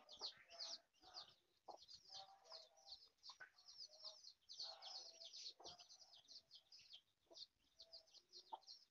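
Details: Hen foraging as a mother, with irregular low clucks and murmurs under continuous shrill, downward-sliding cheeps that dominate throughout.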